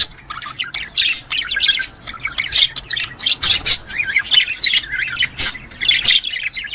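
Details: Budgerigar males in breeding condition singing to encourage mating: busy, fast warbling chatter of buzzy chirps and sharp clicks, rising and falling in short pulses almost without pause.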